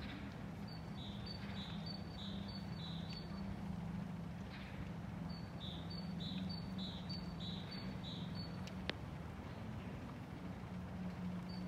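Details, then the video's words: Great tit singing on 11 February 2024 in the empty Stora torget town square in Stenstan, Sundsvall: two strophes of high, ringing two-note phrases repeated about five times each, over a steady low urban hum. "Talgoxe spel/sång"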